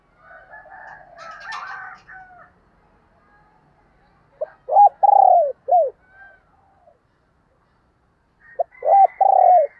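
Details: Spotted dove kept as a decoy, calling to attract wild doves: two bursts of deep, mellow coos, each a few short notes and one drawn-out falling note, after a stretch of busy chattering from other birds.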